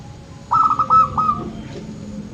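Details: Local zebra dove cooing, used to prompt quiet birds into song: one phrase of fast stuttering whistled notes that settles into a sustained even tone, over low background rumble.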